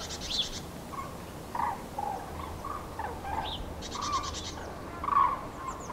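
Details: Several Common cranes calling during prenuptial migration over Nouvelle-Aquitaine, France, on 8 February 2017; short bugling notes come in scattered bursts, mixed with brief higher rattling sounds.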